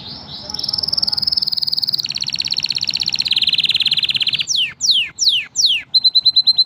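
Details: Canaries, five birds, in a training song: a sustained rapid rattling trill lasting over four seconds, then several separate steep downward sweeps and a short fast pulsed trill.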